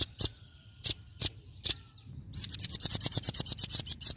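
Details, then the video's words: Velvet-fronted nuthatch: five loud, sharp high chips spaced about half a second apart, then a fast, steady trill of ringing metallic notes lasting nearly two seconds. "Suara asli Rambatan Paruh Merah,Gacor dorr"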